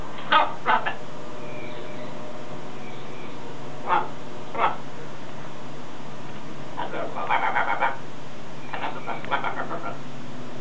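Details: Pet macaw outdoors practising learned words such as hello, hola, step up and good boy; short harsh harmonic bursts in pairs, a busy cluster near seven seconds, another near nine, steady low hum beneath.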